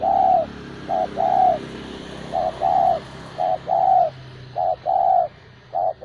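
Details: Pet spotted dove cooing steadily: soft, low, hollow notes alternate between a brief coo and a longer drawn-out one, about five such pairs in six seconds over a faint hum.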